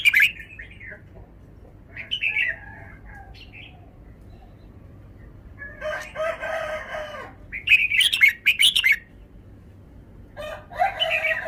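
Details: Caged red-whiskered bulbul showing its song phrasing: short bright warbled phrases, rising and falling, given in bursts. A rooster's loud harsh crow cuts across mid-clip, and soft low mellow notes sound faintly beneath.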